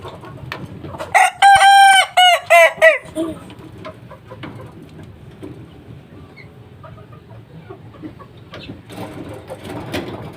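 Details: Three-month-old Kukuak Balenggek chicken crowing: a burst of about six rich, harmonic, stuttering syllables over two seconds, quickly rising and falling, followed by a quiet stretch of low background rumble.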